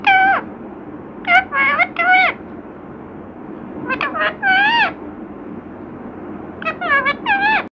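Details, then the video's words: Indoor pet parrot mimicking human words "Radhe Krishna": three clusters of bright, wavering harmonic syllables, each cluster of two to four notes with dipping-then-rising pitch, separated by quiet gaps. "बातूनी तोता 😍मिठ्ठू राधे कृष्णा"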